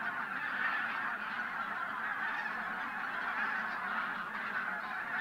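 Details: Over a thousand wintering wild geese, bean and white-fronted, at Teichland Linum, Brandenburg, in pre-dawn darkness. A thick, even chorus of overlapping honks with slight surges, no gaps between calls.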